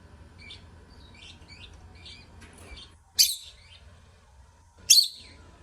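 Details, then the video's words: Lovebird singing: soft, rapid chittering notes build into two loud, rasping, screeching calls about one and a half seconds apart. "Love Birds Singing"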